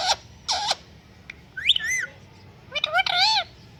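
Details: Pet parrot vocalising: short harsh squawks followed by rising and falling whistled notes with rich harmonics, loud and close, quiet room behind.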